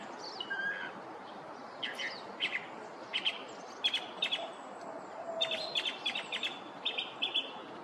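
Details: Male Northern mockingbird (Mimus polyglottos) in a neighborhood in the morning, running through his repertoire: a varied string of high whistles, chirps and buzzy notes, some repeated in quick bursts, including imitations of Blue Jay and Northern Cardinal, over steady low hiss.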